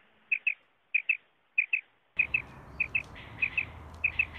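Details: Common quail call used for hunting. Clear, sharp paired notes repeat about every half second, at first over silence and then over a steady rumbling background noise.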